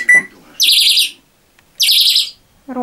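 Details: A pet African Grey parrot, a talker that mimics sounds, in the evening gives two harsh, warbling high bursts about a second apart after a short clear whistle, after being asked how water sounds; a human voice starts at the end.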